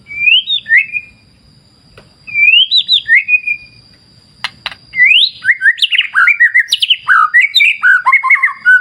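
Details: White-rumped shama (murai batu) singing over a clear-river nature soundscape: two short rising whistled phrases with a downward flick, then a rapid varied run of slurred whistles and chirps; a faint steady high tone persists throughout.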